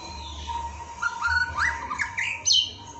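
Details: Murai (white-rumped shama) song from an Indonesian masteran training recording meant to make birds sing quickly and openly: varied clear whistles, rising slurs and sharp high notes in quick succession over a steady faint hum.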